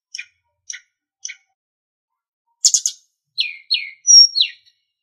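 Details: Sulingan song on a training master for captive songbirds. Three soft spaced chips are followed after a pause by a sharp burst, two descending slurs, a clear whistle and a final slur.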